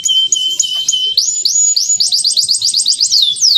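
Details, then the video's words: Clear, steady song of a male canary used to tutor young birds. A sustained bright whistle breaks into a fast run of rising, looping notes repeated about eight times a second. "MASTERAN BURUNG KENARI PAUD AGAR CEPAT BUNYI DAN GACOR - kenari jantan gacor jernih"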